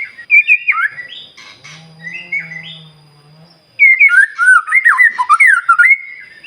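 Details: White-rumped shama singing as a morning lure for other birds: short whistled phrases, a low steady hum in the middle, then a loud burst of looping, rapidly varied whistles.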